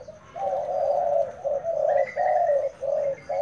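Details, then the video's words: Decoy spotted dove in training: a run of low, hoarse cooing notes that join into longer phrases, with brief gaps between phrase groups. A faint higher note rises near the end, and the setting is quiet. "Dợt cu gáy mồi"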